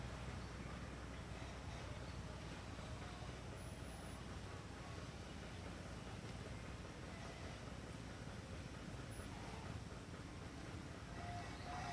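Steady broadband rumbling noise, like distant traffic or a train, with no animal voices heard.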